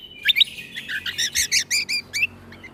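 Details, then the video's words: Greater green leafbird song in a full 'tembakan' style, used as tutor recording for young white-rumped shamas: a rapid string of about ten loud, clipped high chirps at a steady pace, opening with a couple of sharp whistles. "MAsteran Cucak Kombo Ini Agar Punya Karakter Suara Tembakan"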